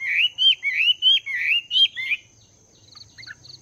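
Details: A caged Chinese hwamei, two months in captivity, sings during its morning voice training: six strong, rich whistled phrases in quick succession, then faint chipping notes, with a low murmur and high steady tone behind.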